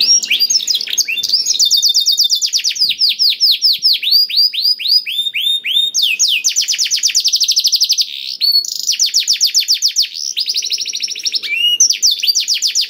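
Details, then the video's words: Song of a black-throated canary, played to prompt other canaries into song: long continuous fast trills of repeated sweeping notes, shifting between tours of different speed, with short breaks in between. "KENARI ISIAN BLACKTHROAT #181 || VOICE OF CANARY"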